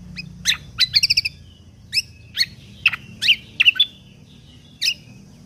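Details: Lesser green leafbird singing 'full tembakan kunti' song, a training recording for songbird contests. A quick trill of rapid notes comes early, followed by spaced, sharp slurred chips at irregular intervals.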